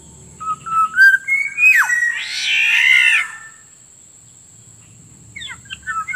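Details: Lure call of a Black-naped Oriole: rising fluty whistles lead into a falling slur and a drawn-out harsh, nasal squawk, followed by silence and soft whistled fragments. A steady high whine runs through.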